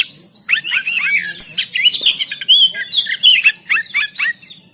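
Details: Oriental magpie-robin recorded in Banten on an Android phone to train birds to sing; a dense, continuous jumble of chirps, warbles and short whistles with no pauses, over a low background hum.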